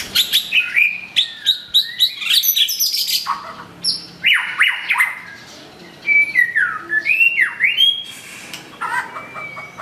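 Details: White-rumped shama, long-tailed form, in rich varied song: loud whistled phrases sweeping up and down, fast chattering notes and downward slurs, packed densely with brief pauses between bursts.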